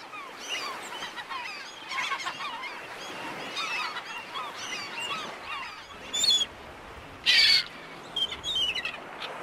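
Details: Black-headed gulls: a dense chorus of harsh squealing cries from many birds, with a few louder, nearer calls standing out near the end.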